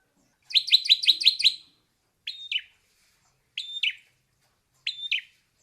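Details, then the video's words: Ashy drongo singing: a quick run of six bright, downslurred notes, then three separated paired phrases, each a short level whistle followed by a falling note, spaced about every one and a half seconds, with no other sounds. "Suara Kicau Burung Srigunting Klawu / Abu-Abu"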